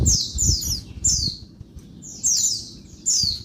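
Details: Noisy daytime calling of a female Oriental white-eye, meant to provoke males into song: clusters of piercing high notes falling in pitch, separated by short pauses, a few low knocks.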